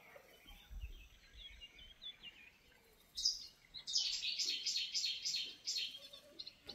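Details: Black-winged Stilt at Soča river mouth nature reserve (Izliv Soče), Slovenia, on June 14, 2024, gives a run of loud, sharp, yelping kek notes in quick succession, after softer high chirps from other birds in the background.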